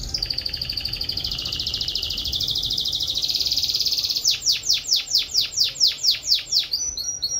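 A canary sings a fast, rolling trill of high notes for about four seconds, then switches to a series of sharp descending sweeps, about two per second.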